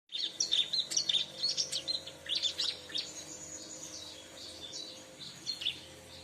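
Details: Bar-winged prinia (ciblek) sounds used as a lure for trapping the same species: a rapid run of high, sharp chirps and short trills, loud at first and then fading into quieter scattered notes.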